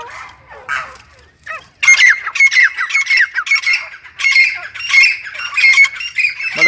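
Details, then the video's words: A grey francolin gives a few fainter, softer notes at the start, then loud, harsh, high-pitched notes in quick repeated bursts, about two per second. "Voice of Teetar Bird - Grey Francolin Teetar Ki Awaz"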